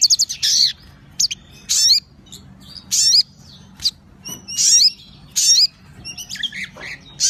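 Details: Sogon in full song: loud, separate bursts of high, tumbling whistled notes, each under a second long and spaced with short pauses.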